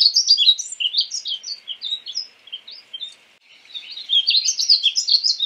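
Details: Painted bunting sings a hurried, high-pitched warble of slurred chirps, a quieter stretch, then another bright jumbled phrase.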